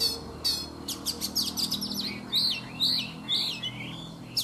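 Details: A wild-caught adult Oriental magpie-robin, caged for three seasons, sings in the morning: a varied, rapid run of high whistles, sharp chirps and sweeping slurred notes, with faint background hum.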